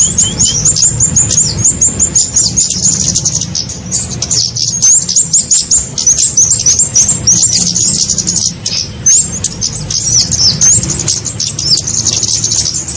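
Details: Kemade lure call for trapping small birds: rapid series of sharp, high whistled chips and up-slurred notes, tightly repeated, forming a constant excited twitter above a faint low drone.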